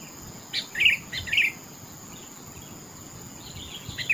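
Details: Kutilang or sooty-headed bulbul in the countryside: a few brief, bubbly whistled notes early on, then quieter scattered chirps, with a constant high-pitched insect drone and light background noise.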